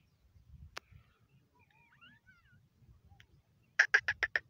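Black francolin giving a burst of six harsh, grating notes in quick succession, preceded by a sharp click and a few faint thin whistles.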